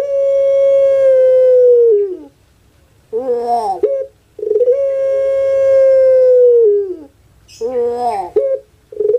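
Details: Two long Pelung crows from a well-kept bird in Java, Indonesia, each a steady, ringing note held about two seconds that slides down at the end, followed by rough, warbling bursts.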